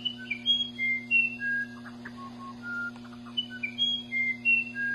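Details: Sweet, pure whistled notes from a musician wren, alternating high and lower tones with brief churring bursts between them, in a fairly regular sequence over a steady background hum.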